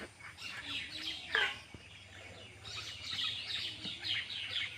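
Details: Baby birds inside a nest, a dense chorus of high, thin, scratchy chirps coming in surging bursts that rise and fall in loudness, with a faint low hum underneath.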